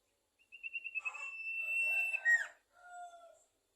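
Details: Sumatran leafbird song: fast pulsed notes building into a long level whistle under mixed warbling, a sharp downslurred ending, then a short lower whistled phrase.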